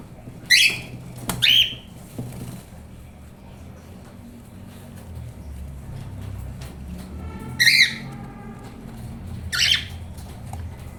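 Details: Cockatiel chick a few weeks old giving harsh, raspy squawks, a pair early on and two more spaced several seconds apart, with quiet background between.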